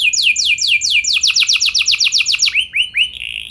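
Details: Canary singing a lure song meant to prompt other canaries into long rolling song: rapid series of high, downward-sweeping notes, about four a second, shifting midway into a faster, tighter run before ending in a few rising, curled whistles.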